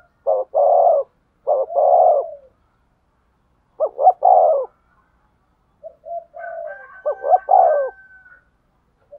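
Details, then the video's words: Spotted dove cooing to stimulate a male to coo: low, throaty coo phrases of two or three notes repeated at irregular intervals, with a thin, higher, steady whistled tone overlapping the final phrase. "tiếng chim cu gáy thúc gù, tiếng chim cu gáy kích bổi"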